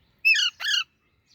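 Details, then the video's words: A baby Alexandrine parakeet gives two harsh, raspy squawks in quick succession, each a quarter-second burst, with nothing else heard. "Baby Alexandrine Parrot Natural Sounds | Baby Parrot Chirping Sounds"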